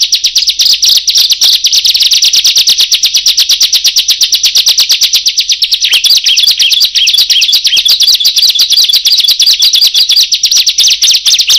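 Bar-winged prinia pouring out a loud, high, rapid stream of sharp chipping notes, many per second, with warbled flourishes partway through; nothing else is heard.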